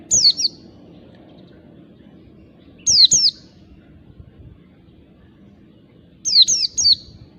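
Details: Wild white-eye sung to attract other white-eyes: brief clusters of two or three high, sharply falling, slightly buzzy notes repeated every few seconds, separated by quiet gaps with soft low background noise.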